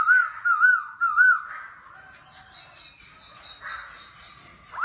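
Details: A laughingthrush singing competitively in forest voice, continuously changing its voice ('kéo thuốc lào'): three rich, rolling whistled notes, then quieter drawn-out tones ending in an upward slur.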